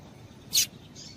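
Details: Female double-collared seedeater giving a single abrupt, high-pitched chip note, used to get males singing, followed by a fainter, thinner high note against a soft background hiss.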